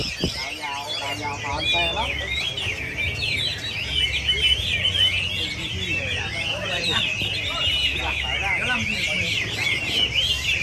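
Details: A group of Chinese hwameis singing together: dense, overlapping whistled phrases, rich and varied, sliding up and down without pause, with a low steady hum underneath.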